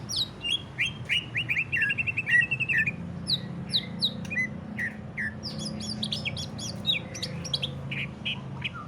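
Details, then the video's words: Ngentrok-style song of a greater green leafbird, meant to lure other leafbirds into singing: a rapid buzzy chattered trill at first, then quick sharp chips and short slurred whistles tumbling over one another, with a faint low hum. "CUCAK IJO NGENTROK | CARA PANCING BURUNG CUCAK IJO SUPAYA GACOR"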